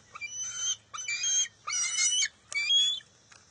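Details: Nest squabble over a fish between a bald eagle eaglet and its mother, June 2021. Four high, whistled, whining cries, the later ones longer and louder, with a final note sliding upward.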